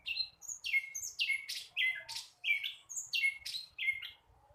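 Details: Young flycatcher, still learning, repeating sharp downward-sweeping high notes about twice a second, each a bright chirp that falls quickly in pitch.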